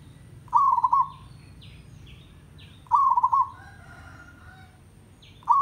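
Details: Local zebra dove (merbok kampung) giving rapid, stuttered cooing phrases about every two and a half seconds, each ending in a soft fading tail, while another bird adds thin, higher, downward-slurred chirps between them.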